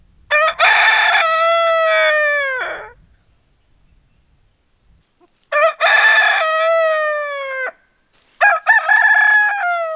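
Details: Rooster's loud crowing used as a wake-up call: two full crows about five seconds apart, each a rough stuttered start sliding into a long drawn-out falling note, with a third crow beginning at the end.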